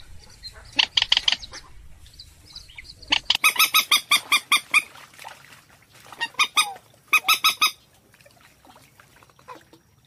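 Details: Purple swamphen trapping lure, version F7: a rasping shriek, then long series of loud rhythmic clucking honks, a pause, and another burst of rapid notes.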